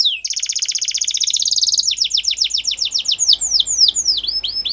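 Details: Canary singing used for training young birds: a brief sweep, a rapid buzzy high trill gently rising, then a series of quick descending whistled notes, later slower, slurred and V-shaped.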